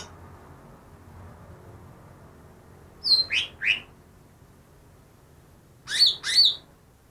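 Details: Recently trapped greater green leafbird said to mimic many other birds: three sharp falling notes, a pause of two seconds, then two loud slurred whistles in quick succession.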